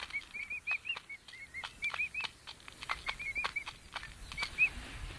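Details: Pet emu chicks, five weeks old: thin, high whistled peeps, each a short arched note, repeated rapidly and irregularly, mixed with sharp clicks and rustling against a soft background noise.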